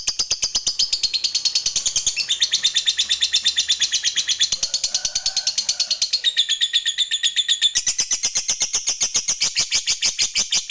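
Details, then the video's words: Extended ngekek chatter of a fighter lovebird, used as a lure sound: rapid, harsh, high repeated notes continuing for over ten seconds, with pitch shifts and a short higher-pitched passage. "PAKAI PANCINGAN SUARA LOVEBIRD INI AJA, AGAR LABETMU JADI FIGHTER DAN TAK LAGI MALAS BUNYI"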